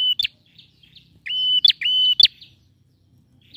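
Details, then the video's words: Male bar-winged prinia calling energetically: flat high whistled notes ending in abrupt clicking buzzes, two in quick succession then silence, faint low rumble behind; used to encourage a silent prinia to sing. "PRENJAK JANTAN GACOR"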